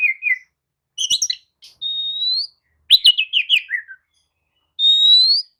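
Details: Oriental magpie-robin (kacer) lure song to stir a sluggish bird into replying; long clear whistles rising at the end alternate with quick chattering runs sliding downward.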